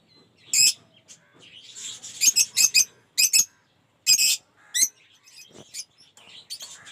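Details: Lovebirds kept in an aviary collection of colour mutations such as Cinemon Opaline, Off Pallid and Blue Aqua Rosy give sharp, high shrill chirps in short bursts, with quiet chatter between them.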